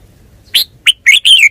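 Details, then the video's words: Red-whiskered bulbul, a kept bird, uttering one rapid, lively phrase of four bright, slurred notes, ending with a falling whistle. "นกกรงหัวจุก 424"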